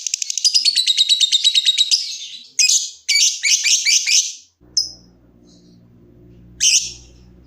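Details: Lovebird trilling, a recording for prompting other lovebirds: a rapid shrill trill for two seconds, then squeaky chattering bursts and single sharp notes over a low electrical hum.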